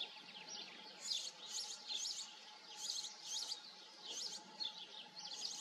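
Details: Soft, high, jingling twitters from a European goldfinch come in repeated clusters, separated by brief gaps, over constant faint noise and a low steady tone.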